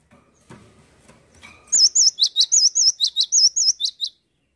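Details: Gacor song of a cinereous tit: faint knocks and shuffling give way to a loud, high-pitched series of about five or six paired notes, each a wavy whistle followed by a sharp falling chip, delivered rapidly and evenly.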